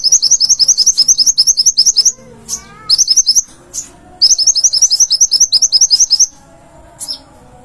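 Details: Konin (olive-backed sunbird), a cage bird singing energetically for a training recording: very high, rapid chirped notes in fast repeated bursts, pausing briefly between runs, with a few lower twittering notes.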